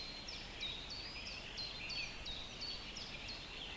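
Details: An osprey at a nest in Võrumaa, South Estonia, near a river and fish farm, gives a steady series of high, thin whistled notes, each slurring downward, about three per second, over a constant background hiss.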